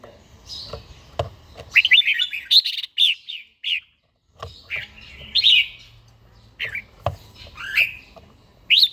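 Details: Older red-whiskered bulbul kept in a cage, practising morning song in forest-voice style: clustered chirpy, rolling warbles, then a silent gap, then more quick twisting phrases, with occasional sharp knocks.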